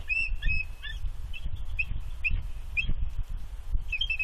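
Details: Incubating female bald eagle on her Big Bear nest sounds warning cries at an intruder eagle: rapid, piercing, high chittering chirps repeated throughout in a steady broken series, with a constant low hum of wind behind.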